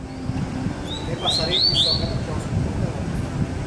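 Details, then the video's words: Double-collared seedeater, one of two birds heard: a short run of three or four bright upslurred whistled notes in quick succession, with low traffic-like rumble and people nearby. "baderna com 2 coleiros"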